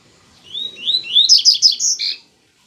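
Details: Song of a Bahian yellow-bellied seedeater: clear rising whistled slurs building into a fast, bright trill of chirped notes, then a final pair of falling phrases, lasting under two seconds.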